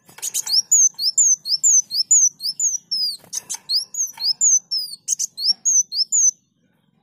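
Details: Sunbird in continuous song, recorded for training other songbirds: a rapid run of high, slurred whistles repeated about twice a second, broken by short dry chattering bursts, ending in a brief pause.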